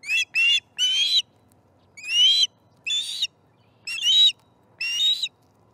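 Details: Osprey calling at the nest during the morning fish meal, September 2019: about eight shrill, slurred whistles in six seconds, irregularly spaced, some doubled, against a quiet backdrop.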